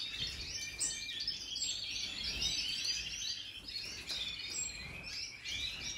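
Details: Major-style singing by a European goldfinch, recorded 2023: fast, bright, high twittering with tinkling chirps and short buzzy trills, rising and falling in loudness, over faint low noise.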